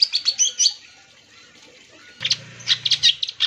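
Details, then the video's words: Long-tailed shrike singing as a lure for other shrikes: a burst of squeaky, whistled twitters, a second of near silence, then sharp chattering notes resume with a brief low hum beneath. "CENDET GACOR PAGI SIANG SORE"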